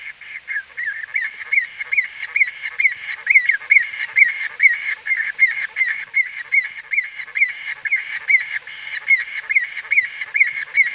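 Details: Recorded close up, white-fronted bee-eaters call in a fast, continuous stream of short nasal upward-flicking notes, several per second, with overlapping voices forming a busy chattering chorus.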